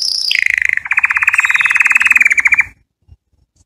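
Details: Canary singing as a tutor for canary chicks: a high whistle drops into a fast rolling trill of evenly spaced notes lasting about two seconds, then stops into near silence.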